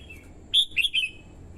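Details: Red-whiskered bulbul, a female used to stimulate the male and lure wild birds: a short phrase of three loud, clear whistled notes around the middle, slightly falling, with a fainter note before and after over quiet background.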